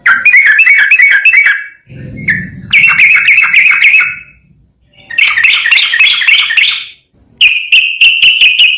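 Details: Yellow-vented bulbul, called trucukan, in long gacor ropel garuda song: four warbled, chattering phrases separated by short gaps, the last an even run of bright repeated notes, with a faint low rumble early on.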